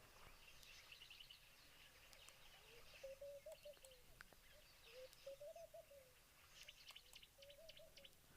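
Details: Ring-necked dove (Streptopelia capicola) at a water hole on 3 December 2022, in angled rain, giving low, hoarse cooing phrases about every two seconds, over high chirps of other small birds and soft outdoor noise; Laughing dove also heard.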